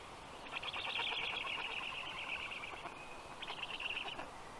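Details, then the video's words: Black stork storklets at the nest during feeding, 15 June 2022, 6:22 p.m.; a harsh, buzzy, wheezing chorus held steadily for several seconds, breaking briefly before a shorter final burst. "Must-toonekurg2~Dinner for the storklets"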